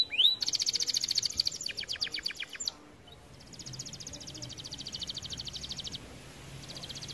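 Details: Red variant canary singing, used to stimulate other canaries to sing: a bright, fast trill of evenly repeated high notes for about two seconds, a short pause, then a softer, steady trill repeated in bursts.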